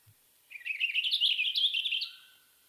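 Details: Western Purple Finch song: one short, discrete, bubbly warble lasting about one and a half seconds, high-pitched and climbing slightly, smooth with no harsh or buzzy notes, set against a quiet background.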